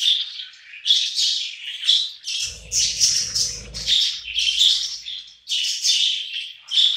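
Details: A group of hungry budgerigars feeding together, chattering steadily in bright high chirps and squawky warbles, with a short low rumble of handling noise partway through.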